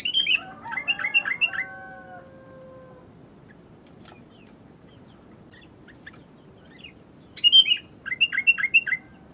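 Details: Sooty-headed bulbul singing actively: two bursts of bubbly, chirped and warbled phrases, one opening the recording and one near its end, separated by a long quiet stretch with faint low background hum.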